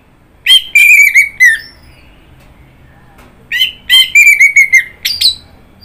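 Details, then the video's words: Orange-headed thrush giving two bursts of song, each a rapid run of sharp, slurred whistled notes that climb and drop, the second burst longer and ending on a high note, with quiet pauses between. "Kicauan Burung Anis Merah"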